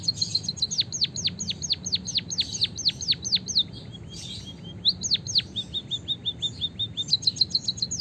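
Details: White-headed munia from Java singing with canary-style fill-in, used as a master recording to train and stimulate other birds: fast series of loud whistled notes sweeping steeply downward, then a softer run of short rising chirps, then more sweeping notes.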